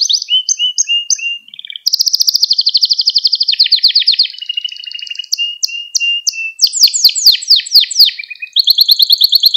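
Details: Canary training song meant for teaching young canaries to sing, also used to stimulate other canaries; varied tours of short repeated whistled notes, fast rolling buzzy trills, descending note series and crisp high chips.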